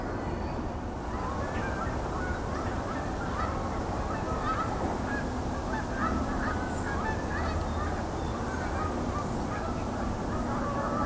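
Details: A flock of Canada geese at Hockanum Reservoir, East Hartford, Connecticut, on 18 October 2024 honk together in a steady, overlapping clamor of nasal calls over a low background rumble.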